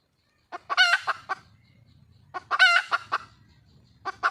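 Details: Wild red junglefowl hen calling for a mate: quick clucks rising into a loud, harsh drawn-out squawk, repeated twice with clucks trailing after each.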